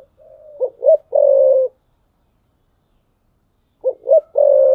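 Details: Perched decoy spotted dove cooing in the 'thúc bổi' style, 2022: a full phrase of two short notes plus a long vibrant coo, a pause of about two seconds, then the same phrase repeated.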